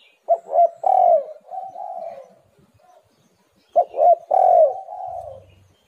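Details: Spotted dove giving its coo as a calling lure for other doves: two mellow phrases, each with two short hoots, a louder drawn, slightly falling coo and a quieter tail note, separated by a brief pause.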